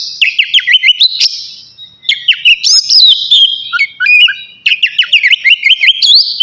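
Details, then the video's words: Before bathing, a navy oriental magpie-robin delivers bursts of quick up-slurred whistles and trills, separated by short gaps, with one long sweeping whistled phrase in the middle. "KACER NAVY GACOR SIAP MANDI"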